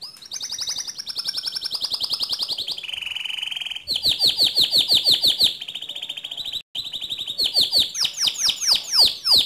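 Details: A canary sings to provoke another canary, in 'ngerol' and 'nembak' style: long high buzzy trills, a lower rattling section, then a fast series of sharp, steeply falling whistles near the end.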